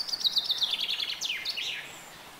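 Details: A common chaffinch gives a quick descending trill of sharp repeated notes, finishing with a looping, slurred terminal flourish, then fades into quiet outdoor ambience.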